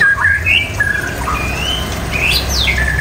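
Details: White-rumped shama song of clear drawn-out whistles, some level and some sweeping upward or sharply downward, delivered in a continuous flowing sequence over a steady low hum.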